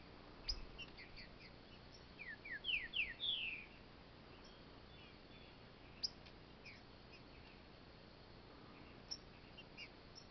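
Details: Caged green-winged saltator (trinca-ferro) in a plain training cage, combative, gives one short phrase of quick, clear whistled notes lasting about a second and a half, then only faint scattered chips over a steady background hiss.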